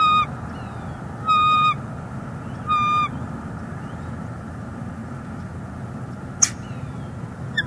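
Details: Female bald eagle at a northeast Florida nest with her chick, February 11, 2021, calling to her mate on a nearby branch: three bursts of high, harmonic chittering notes about 1.3 seconds apart, then quiet background.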